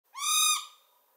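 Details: A morepork (Ninox novaeseelandiae) at Laingholm on 5 June 2019 gives one rich hooting note, slightly rising then steady, lasting about half a second, before it fades quickly into a quiet background.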